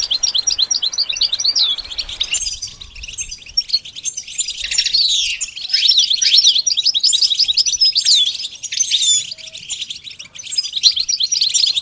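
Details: Goldfinch song for training a bird to sing: a fast, dense run of high twittering and chirping notes with slurred, rising and falling whistles, continuous throughout with no pauses.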